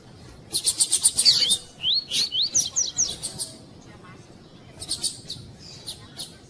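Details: Female double-collared seedeater calling to excite a male: rapid high chips, then a series of rising slurred whistles, followed by scattered sharp ticks and a brief faint chatter.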